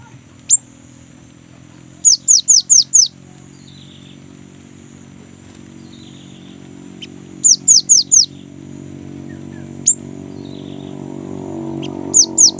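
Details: Young great tit in lively rolling song, meant to encourage caged birds to sing. Groups of four high, downslurred whistles repeat every few seconds between single sharp notes, with low background rumble.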